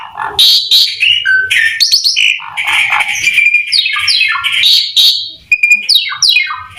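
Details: Asian pied starling pouring out harsh, squawking song as a lure for other starlings: grating buzzy notes, sweeping downslurs and sharp whistles delivered in a dense, scratchy flow.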